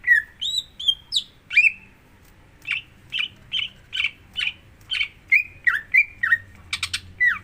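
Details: Greater green leafbird singing in a lure recording meant to prompt another bird: varied rising and falling whistles, a short gap, then buzzy repeated notes ending in quick rough chatter.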